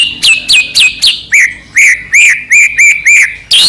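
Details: White-rumped shama song used as a lure to provoke another shama to sing: loud, clear repeated notes, first sharply descending whistles, then a run of arched, slurred notes about every quarter second, ending on a rising whistle.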